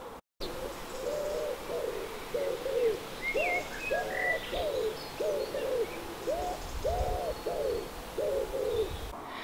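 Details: Common wood pigeon (Columba palumbus) in a British garden sings its distinctive hoarse, rhythmic five-note coo, likened to 'my poor feet, Betty', repeated in a steady run; a small bird chirps faintly behind.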